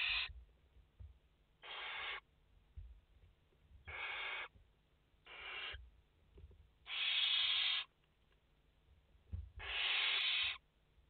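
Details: Live nest camera of five barn owl chicks, 29 August 2021: six rasping hiss bursts over eleven seconds, the first ones softer and shorter, the last two longer and loudest.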